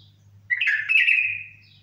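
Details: A bulbul gives a single bright warbled phrase of about one second, sliding and wavering, over a steady low hum in the background.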